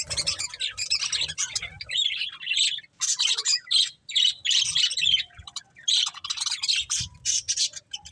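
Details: Several budgies chatter in bursts of scratchy high warbling and squeaky chirps, broken by short silent gaps every second or so.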